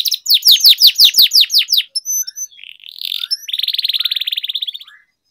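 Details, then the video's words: Young canaries' singing training song in long roll style: a fast series of downslurred whistles, brief high notes, then a buzzy note and a long even rattling roll lasting over a second. "Canary Singing Training, Kenari Gacor Ngerol Panjang,Terapi Kenari Macet, Masteran Kenari Paud"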